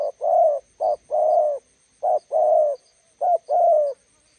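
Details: Cooing spotted dove, decoy bird meeting a wild one along a roadside; four coupled phrases of a quick hoot and a longer buzzy coo, evenly spaced, with soft high clicks behind.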